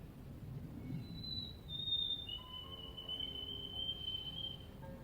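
White-throated Sparrow: a few clear, high whistles step down into one long held note with a slight vibrato. A low rumble of background noise runs underneath.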